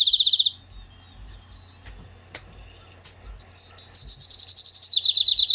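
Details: A Field Sparrow, singing from low to mid levels, gives sweet, plaintive whistled notes that drift slightly lower and speed up into a bouncing trill, after the tail of an earlier trill.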